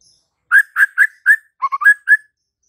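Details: White-rumped shama giving four loud, rich whistled notes about a quarter second apart, then a quick pair of lower clipped notes and two more rising whistles.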